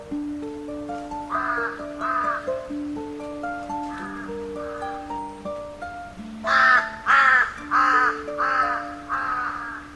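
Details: Real crow giving hoarse, harsh 'kar-kar' caws over steady background music: two rasping caws early, a few fainter ones, then a loud run of about five caws in quick succession near the end.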